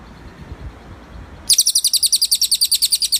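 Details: Cililin song used as a tutor recording for training birds: after a quiet start, a fast series of high, sharp, metallic notes repeated about five times a second, evenly pulsed.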